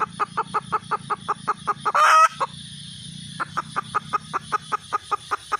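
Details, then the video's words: Red junglefowl hen: regular short clucks, one loud harsh squawk, a silent gap, then clucking picks up again at an even pace. "suab poj qaib tsauj zoo heev"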